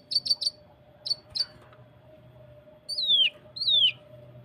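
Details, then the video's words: A Cucak kinoi training recording, played to coax birds to sing, gives a burst of sharp high chirps, three quick then two, followed by two clear whistles sliding steeply downward, over a faint steady hum. "Masteran cucak kinoi tembakan s4d1s tembakan rapat"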